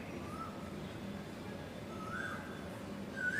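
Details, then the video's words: Asian koel (koyal) calling outdoors in the morning: three faint whistled notes, each rising and pitched higher than the one before, spaced about a second apart, over steady low rumbling background noise. "Koyal Singing (Koo Koo)"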